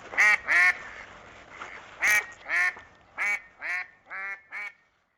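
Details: A duck giving a series of clear, nasal quacks, singly or in pairs, about every half second, then ending in silence.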